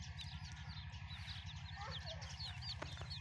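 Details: Baby chicks give high, thin, down-slurred peeps in quick, uneven succession over a loud, steady, low buzzing drone.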